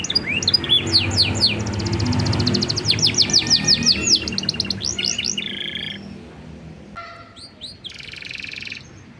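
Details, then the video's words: Canary singing a master song in 'blak strut' style, meant to spur other birds to sing: dense run of rapid downslurred whistles and fast trills, shifting into sharp buzzy rolls and high piping notes, over a low background hum. "masteran kenari cengkok super rasa blak strut - bikin burung lain kepancing gacor"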